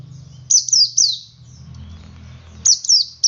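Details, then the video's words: Ngalas-style song of a male Oriental white-eye, sung to set other white-eyes singing: three high falling slurs, a pause over low rumbling background, then three more quick thin downslurred notes. "Suara Burung Pleci Jantan Ngalas Memancing Pleci Lain Ikut Ngalas"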